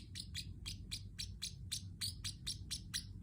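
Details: Pet Pacific parrotlet giving a steady run of bright, clipped high chirps about four per second, each with a slight downward slur, against a continuous low background hum.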